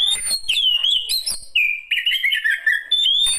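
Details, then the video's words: Elderly Oriental magpie-robin singing: rich, clear whistled phrases that slide and warble, broken by sharp chirps and short gaps, with bright high notes over a quiet background. "Kicauan Burung Kacer Tua Lanjut Usia"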